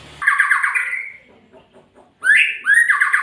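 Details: Magpie-robin giving a quick rattling trill, then quiet soft ticking, then a fresh phrase of rising whistles leading into a buzzy trill.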